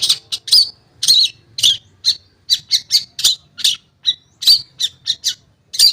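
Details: Long-tailed shrike singing as a lure for shrikes that have stopped singing: loud, clipped, harsh notes and short chattering bursts delivered in an uneven, fast series.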